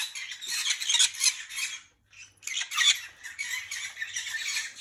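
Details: Several green-cheeked conures kept as pets chatter to each other in a group, the chorus they make when content; dense harsh high squawky chatter in long bursts with a brief pause, and a faint low hum.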